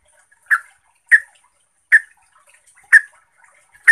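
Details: Trucuk, or yellow-vented bulbul, song used as a lure to provoke other trucuk into singing: short bright notes repeated roughly every half second to one second, each a brief burst with faint higher overtones, separated by silence.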